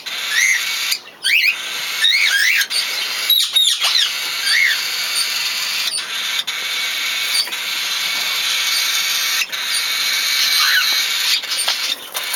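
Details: A cockatiel chick begs while its mother feeds it, giving a steady raspy, hissing wheeze and a few short rising chirps.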